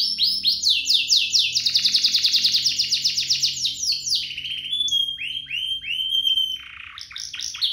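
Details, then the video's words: Canary duo in full song, meant to coax other canaries to sing: a sustained fast trill of chopped, descending notes, followed by sharp upslurred chips and a lower buzzy rattle near the end. "Kompilasi DUO GACOR, cocok untuk pancingan kenari biar gacor, masteran kenari paud"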